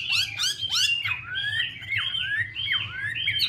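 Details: Chinese hwamei, a female dancing to stir the male; opens with a few harsh, rasping squawks, then runs into a string of looping whistled notes repeated roughly every half second, over a low hum.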